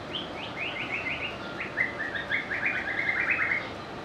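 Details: White-rumped shama, a melodious and varied singer, delivering a fainter, hurried string of short chirped and slurred whistle notes against a hissy background.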